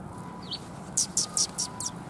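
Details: At Tenmangu shrine on 14 March 2021, sparrows that come to be fed give one thin slurred note, then a rapid series of five loud, harsh, high chirps about a fifth of a second apart, against quiet low background noise.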